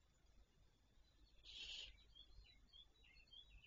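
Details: Barn owl, recorded 26 May 2023 at 08:12, gives a single harsh, hissing screech under half a second long, over a low background rumble with faint high chirps afterward.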